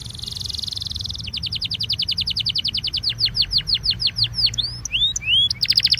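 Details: Belgian canary singing, a recording meant to warm up other canaries: a dense buzzy trill gives way to a fast series of downward-sweeping notes, then curling whistles and a closing trill, with faint low hum beneath.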